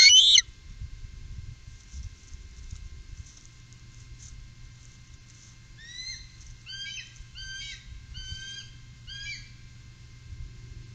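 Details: Three bald eagles on the upper Mississippi in 2018; a sharp burst opens, then after a pause a series of thin, high, downslurred piping chirps repeats quickly for a few seconds over a low steady hum.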